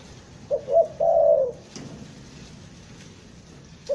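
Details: Single phrase from a Bandung spotted dove, used as a trapping lure in the stuttering gagap style: two quick low coos, then a longer drawn-out coo, followed by quiet hiss and the start of another note.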